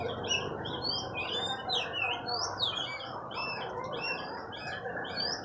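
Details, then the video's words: Newly bought oriental magpie-robin in training, singing vigorously: a dense run of varied whistled notes, sliding and upswept, over a steady broad background hum. "Latih burung kacer, Alhamdulilah bisa gacor"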